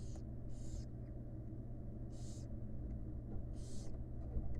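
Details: Wild barn owl young begging from their feeding mother in a nest box, four drawn-out hissing screeches spaced irregularly, over faint low rumbling hum.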